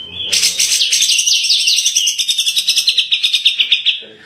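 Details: Grey-cheeked bulbul (cucak jenggot) in full tembakan song: a sustained four-second volley of fast, buzzy, high repeated notes, with wavering pitch at first, then an even pulsed trill.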